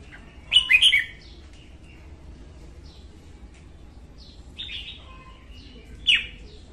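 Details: Female red-whiskered bulbul heard in the morning, a recording used for training and trapping: a loud tumbling burst of whistled notes, followed by softer distant twitters and a final sharp, downslurred chirp.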